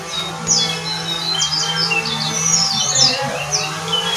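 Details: Brown jongkangan in active song: thin, high chirps and brief sliding whistles scattered across the recording, somewhat soft against a constant low mechanical hum.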